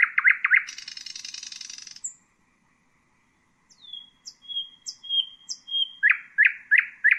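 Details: Common nightingale (Luscinia megarhynchos) singing: quick loud notes, a long buzzy rattle, a pause, then thin sliding whistles and a series of punchy repeated notes.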